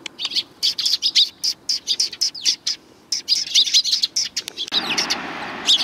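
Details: Sparrows crowding in for food on the front walkway of a Tenmangu shrine in spring 2020: rapid, busy chirping in tight clusters, a brief pause, then a hiss of background noise late on.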